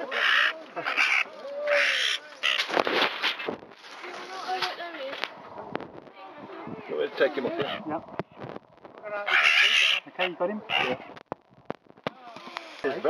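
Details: A fledgling jackdaw trapped between garden fences in Hampden Park, Eastbourne, East Sussex, on 31 May 2012 gives harsh, grating calls in short noisy bursts during its rescue, loudest at the start and near the end, with people talking close by.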